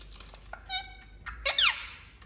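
An Indian ringneck gives a brief, nasal, voice-like phrase, then a sharp squeaky sweep that rises and falls. A quiet room hum sits underneath.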